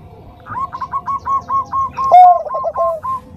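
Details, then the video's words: Zebra dove, Bangkok type, with a soft voice: a rolling series of low, rapid cooing pulses, a short opening note then a trilled run of about a dozen beats lasting nearly three seconds. "Perkutut Bangkok Suara Lembut"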